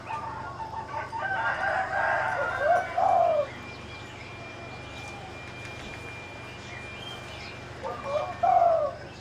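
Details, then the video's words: Spotted dove kept in the left cage, uttering two bursts of soft descending coos about five seconds apart, mixed with chatter and chirps from neighbouring birds. "Spotted Dove calling in the left cage"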